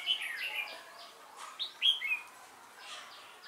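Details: Decoy red-whiskered bulbul in a trapping session, described as thick-crested with a bell-like voice; a burst of bright whistled and warbled notes, then a quieter pause with softer chirps and a few spoken words afterward.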